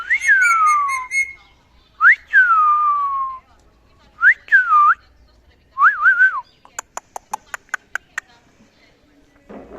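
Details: Pet male ring-necked parakeet chattering while socializing: clear whistled notes that slide down, then rising and dipping wolf-whistle shapes, followed by a run of sharp evenly spaced clicks.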